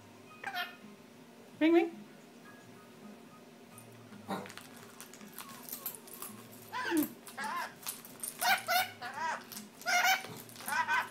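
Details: A pet lorikeet, described as getting mad at keys, telling the dog off, barking and swearing, gives harsh, wavering chattering calls in scattered bursts that grow busier toward the end, indoors, with a person talking nearby.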